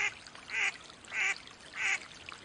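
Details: Three loud, harsh quacks from a wild mallard duck, spaced just over half a second apart, each short and nasal, with faint background noise.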